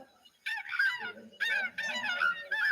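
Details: Tundra swans, migrating through in November, heard in a played recording: bursts of high, nasal, honking whoops in overlapping groups, several birds calling together.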